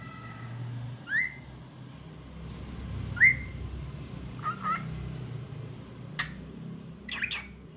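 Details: Cockatiel singing with a string of rising whistled notes, some clipped and some paired, spaced irregularly over several seconds against soft background hum.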